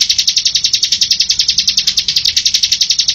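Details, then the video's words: Continuous song of a bar-winged prinia, meant for tutoring caged birds: a rapid, unbroken train of shrill, buzzy chips repeated several times a second at a steady pace throughout. "suara mp3 ciblek gacor bocor"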